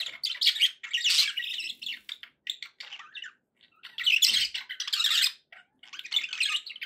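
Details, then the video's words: Happy budgies calling as pets indoors, a stream of rasping chirps and buzzy warbles in dense bursts of about a second, with short gaps between phrases. "happy budgie sounds"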